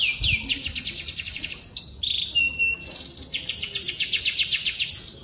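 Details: Domestic canary in full song, described as an elaborate, showy style: fast high trills of repeated sweeping notes, broken mid-phrase by a few pure sustained whistles at different pitches, then resuming rapid rolling trills.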